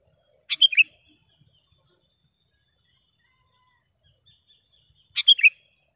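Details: Sooty-headed bulbul (kutilang) song for luring wild birds: two short bubbly three-note phrases about five seconds apart in otherwise quiet surroundings.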